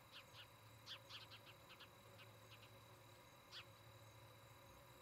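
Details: Osprey at a nest in Charlo, Montana, on a nest camera, 17 August 2018 evening: a rapid string of piercing, slurred chirps, several paired, then one isolated chirp after a pause, over steady electrical hum.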